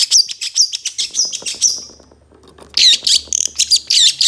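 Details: Long-tailed shrike in a master recording used to tutor songbirds: sharp, high twittering notes in quick runs, a short quiet break, then a renewed rush of squeaky, whistled trills.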